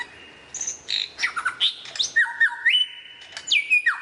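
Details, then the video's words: Lyrebird giving a varied song: a jumble of quick whistles and chirps, then long, level whistled tones that step up and down in pitch, ending with a sharp downward slur. "suara variasi burung lyrebird"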